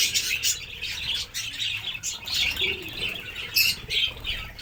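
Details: Many budgerigars in a breeding colony on a bird farm in Kamrup, Assam, chatter together in dense, high, scratchy warbles and squawks.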